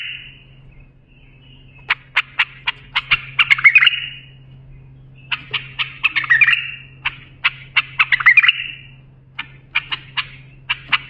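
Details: A bulbul sings a tutor song for training young bulbuls: high phrases of sharp repeated clicks quicken into buzzy, rattling trills, repeated every few seconds over a steady low electrical hum.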